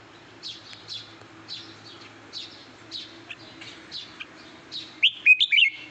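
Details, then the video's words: Red-whiskered bulbul used as a caged decoy bird: a run of soft, regularly repeated chirps is followed near the end by a loud cluster of clear whistled notes. "chào mào em lên chim mồi OK không các bác"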